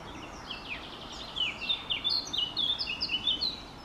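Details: Song of a Eurasian blackcap: starts quietly, then grows into a louder, hurried chatter of sharp high whistles and slurred notes, roughly evenly spaced, over light background noise.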